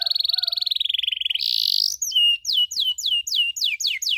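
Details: Canary training recording for canaries learning cuit-cuit chirps: a rapid buzzy rattle, a brief harsh buzz, then a run of evenly spaced high downward-sweeping whistled notes.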